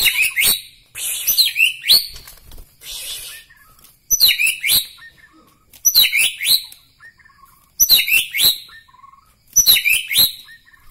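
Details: White-rumped shama from Medan, Bahorok, repeating a short, harsh, high chattering phrase with a rising upslur about every two seconds.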